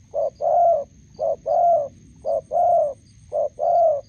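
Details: Roadside setup in Gia Lai, Vietnam, where a decoy spotted dove meets a wild bird. Four regular coo pairs follow one another, each a quick short note leading into a longer, slightly wavering hoot, with faint high chirps.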